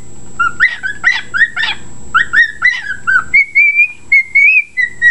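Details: Whistling pet bird giving a run of choppy, buzzy rising notes, then a smooth steady whistled phrase near the end. Low household hum throughout.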